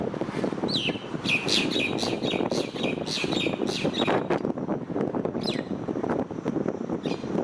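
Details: A starling perched on an electric wire pours out a dense run of bright chirps and whistles for about three seconds, then fades to a few scattered notes amid loud rumbling traffic.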